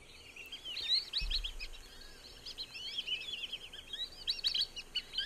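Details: Black-bellied Whistling-Ducks at Sonso Lagoon, a tropical dry-forest wetland near Buga, Valle del Cauca, Colombia, give high, squealing whistles overlapping in a busy chorus, several birds calling at once over a soft background hiss.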